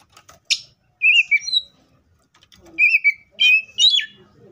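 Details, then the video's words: Oriental magpie-robin in the wild singing scattered whistled phrases, some sliding downward, with a short sharp note near the start and faint background sounds between phrases. "THIS COPSYCHUS SAUCARIS BIRD MOST LUXURIOUS SOUNDS LIKE IN THE WILD!"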